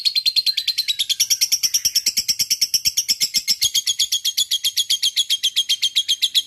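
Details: Ngekek panjang from a single fighter lovebird in fighting mood, a continuous high rattling chatter of quick, harsh, closely repeated notes at an even pace throughout, with no pauses.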